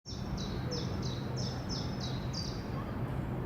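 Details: Great Spotted Woodpecker at Leiderdorp, the Netherlands, recorded 8 April 2018, gives a series of sharp, high, down-slurred 'kik' notes, about three a second, over a steady low rumble.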